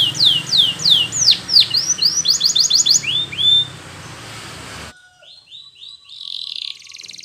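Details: Yellow Spanish Timbrado canary training song: sharp downslurred whistles and quick trills over steady background hiss, then after an abrupt cut, quieter notes and a buzzy trill.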